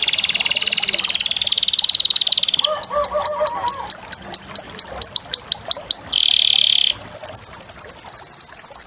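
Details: Canary delivering a dense rolling trill, then a slower series of repeated looping notes over soft lower warbles, a short harsh buzzy roll, and a very high rapid trill to finish.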